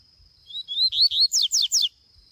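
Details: Kept rusty-collared seedeater singing outdoors in scrub: a brief phrase of rising whistled slurs followed by three rapid downward-sweeping notes, with a faint constant high tone behind and soft low thumps.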